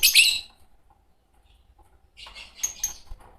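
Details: One loud, piercing chirp from a green Fischer's lovebird pair, then about two seconds of quiet before a softer run of scratchy notes.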